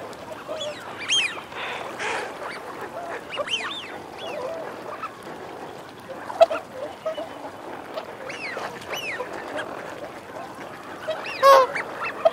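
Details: A Eurasian wigeon flock of males and females. Many arched whistles overlap throughout, with a bright pair near the end, above continuous low growling grunts.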